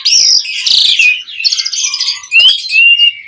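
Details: Asian pied starling 'mompa' lure song: sustained harsh scratchy notes and buzzes, a short low hum-like note, then clear thin upslurred and level whistles.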